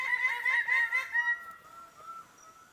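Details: Displaying male Greater Birds-of-Paradise, dancing frenetically with females nearby, give a burst of rapid, harsh harmonic notes for about a second and a half, fading into a softer thin whistle and quiet background.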